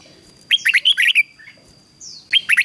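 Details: Red-whiskered bulbul training song: a fast phrase of clear warbled whistles, a brief pause, then another phrase beginning.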